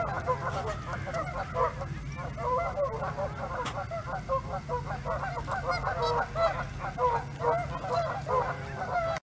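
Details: Group of Canada geese met at close quarters by Hawreluk Park Lake, a near-continuous chorus of nasal honks and clucks from several birds overlapping, with a constant low rumble underneath.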